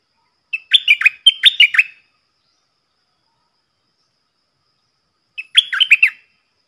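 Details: Stripe-throated bulbul decoy bird singing a 'doubled' style song, used to train young birds to sing along and to lure wild birds: two bursts of quick, bubbling, warbled phrases about a second long, separated by four seconds of silence, clean background.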